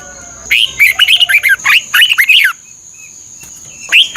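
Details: Red-whiskered bulbul song, Thailand, played for caged-bird training: a long, busy two-second stream of tumbling, chattering whistles, then a pause and a single bright note at the end; faint continuous high tone.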